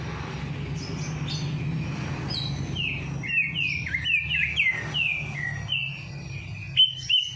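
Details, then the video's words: Bird after its night bath, singing continuously, used to stir lazy birds into song: a series of clear whistled notes, some rising and some falling, repeated quickly over a steady low hum. "Perangsang Burung Malas Bunyi || Habis Mandi Malam Langsung Cor Dor"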